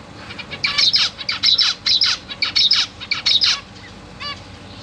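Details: Zebra finch chicks, newly hatched babies being fed by their busy parents alongside three juveniles, give rapid, high, harsh begging calls in bursts, several a second, falling in pitch, with a quieter pause near the end.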